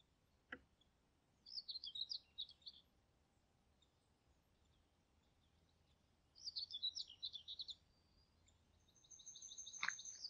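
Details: Common kingfisher in Niepołomice Forest, Poland, July 2020: a sharp click, then two bursts of rapid, high, piercing chattering notes a few seconds apart, ending with a thin, steady whistle and another click.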